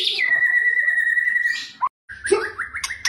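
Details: White-rumped shama, kretekan training song to provoke singing: one long, steady, pure whistle held for about a second and a half, a brief pause, then a few rising chirps and sharp high notes.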